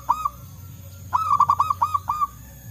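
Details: Local zebra dove calling wild in the forest, where birds answer one another. A brief two-note coo, then a pause, then a rapid run of about seven bubbly, evenly pitched notes.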